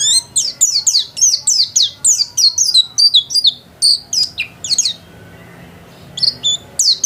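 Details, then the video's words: White-eye kept at home, in vigorous song: fast regular high chirps sweeping downward, roughly three a second, a brief lull, then chirping resumes. "Burung pleci gacor"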